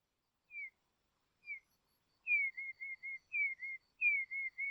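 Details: Soft call of a Dusky robin in Tasmania, Australia: two lone, down-slurred whistles, then three phrases of clear whistled notes, each opening with a falling slur and followed by short level notes.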